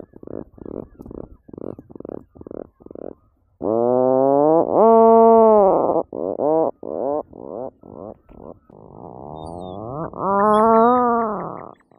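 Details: Atlantic puffin uttering a series of short, evenly spaced low grunts that swell into long, rich, drawn-out groaning moans, followed by more rapid pulsed grunts and a final rising growl.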